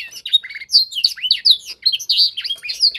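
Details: Canary youngster being taught to imitate tutor song gives loud, clear sliding whistles and chirps in quick succession, some notes rising and others dropping sharply.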